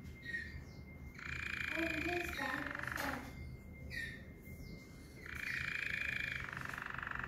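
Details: New male Waterslager canary from 2020 singing: long sustained rolling, bubbling trills in the middle register, broken by short pauses and brief sliding notes, over a steady faint high tone and background hiss.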